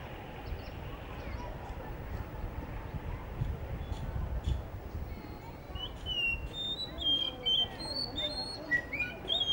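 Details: Blue whistling thrush singing in Hunza by a guesthouse under construction; after a noisy start with low rumbling, a run of high whistled, slurred notes rises and falls through the last few seconds.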